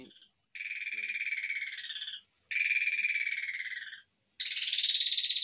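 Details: Asian pied starling giving three long, harsh, rasping bursts, each over a second long, with brief silent gaps between them.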